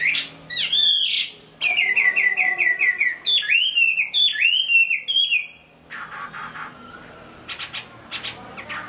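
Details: Caged Chinese hwamei in Hai Phong, Vietnam, singing loud, rich whistled phrases: a run of repeated slurred notes near the middle, then looping upswept and downswept whistles, ending in scattered sharp high chips with short pauses.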